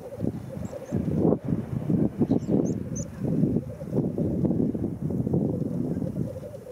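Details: At the April 2017 black grouse lek at World's End in Wales, a steady rolling bubbling chorus runs throughout, over heavy low rumble, with a few faint high squeaky notes near the middle.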